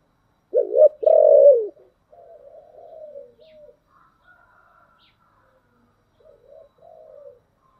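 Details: Spotted dove decoy calling to lure wild doves: one loud, low, hoarse double coo, then quieter drawn-out cooing fading away and a faint soft coo near the end.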